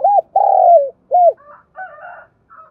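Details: Spotted dove used as a lure bird, calling to provoke wild doves during daily training; a loud arched coo, a long sliding-down coo, a second arched coo, then quieter higher churring notes trailing off.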